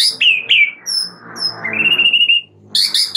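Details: Oriental magpie-robin (murai batu) master recording for caged birds: sharp upward-flicked notes and a long, slightly rising whistled trill over low background noise, ending with a loud chip burst.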